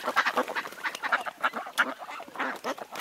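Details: A duckling on a pond quacks in quick, nasal, slightly raspy bursts, several calls tumbling over one another at an uneven pace without clear pauses.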